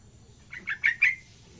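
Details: Young yellow-vented bulbul learning to sing gives one short phrase of four quick, bubbly notes, each a little louder, ending in a brief falling trail, over a low background hum.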